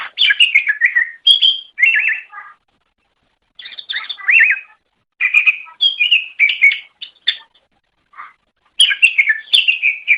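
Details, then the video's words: Greater green leafbird (cucak ijo) in a masteran training recording for pet songbirds: repeated short bursts of sharp looping whistles and chattering notes, bright and high, with brief gaps, no other sounds. "Suara Burung Cucak Ijo"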